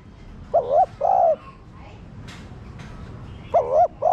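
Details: Cooing of a spotted dove, played to spur caged doves into cooing: two double-note coos, a curved first note then a sustained second, separated by about three seconds of quiet with faint background noise and clicks.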